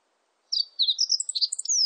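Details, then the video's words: Single meadow bunting phrase of bright, rapid notes: slurred high chirps building into quick twittering and a final descending whistle, all within about one and a half seconds, no other sounds. "멧새, 여러번 듣기, 곤충소리, 새소리"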